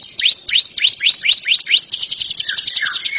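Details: Canary singing a fast, loud series of downward-sweeping whistled notes, about four per second. The notes then speed up into a dense, even trill of short repeated high syllables, with a lower buzzy note near the end.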